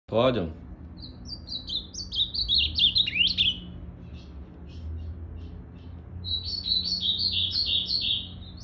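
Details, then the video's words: A captive ultramarine grosbeak (azulão) whose tail is still regrowing, 8 September 2020, sings two bursts of quick, warbled whistled phrases in the upper-middle pitch range, with a brief voice-like sound at the start; ultramarine grosbeak. "Esse azulão tem que respeitar o Rei"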